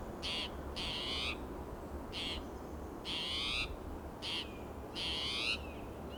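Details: Spotted towhee sounding alarm, restless and territorial, in Del Monte Forest, California, June morning; six harsh buzzy calls alternating short and longer notes in quick irregular succession, loud and persistent over low background hum.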